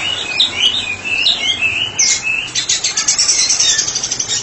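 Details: White-rumped shama, kept as a therapy bird, singing 'ngeplong': wavering whistled phrases, then a fast run of sharp high chipping notes repeated rapidly to the end.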